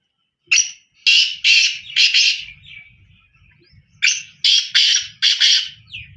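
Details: Two phrases from a black francolin, each a string of loud rasping, buzzy notes, separated by about a second of quiet with a faint low hum.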